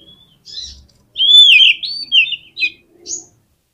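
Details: Oriental magpie-robin lure song for getting other magpie-robins to sing: clear whistled notes, one long slurred rising-falling whistle at the centre, followed by shorter chirped phrases that fade out.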